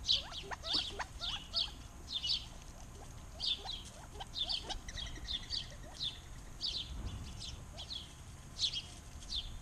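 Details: Birds singing in an Arizona backyard: rapid high chirps repeated about twice a second with short rising whistled notes underneath and a brief low thump near the middle.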